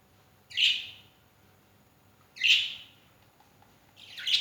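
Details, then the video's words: Pet birds noisy in the early morning, one giving harsh, hoarse high calls roughly every two seconds, three in all, with quiet between. "my lovely birds making noise early in the morning!"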